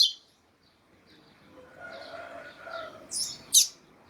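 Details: Double-collared seedeater (coleiro tuí-tuí, Sporophila caerulescens), male song with a female calling: sharp, high chirps open the clip, then two bright, quick notes near the end, with faint softer tones between.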